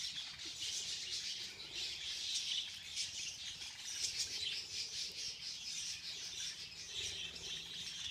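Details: A crowd of budgies chatters during a feeding frenzy, a thick, steady mass of shrill chirps and occasional squawks.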